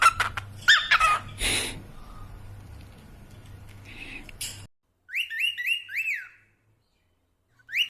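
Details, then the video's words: Pet cockatiels: a noisy first half with clattering bursts and a faint steady tone, then a clear run of four or five bright, harmonic whistled notes, each rising and falling, followed by silence and one last short rising whistle. "These cockatiels are the real rockstars of the bird world!"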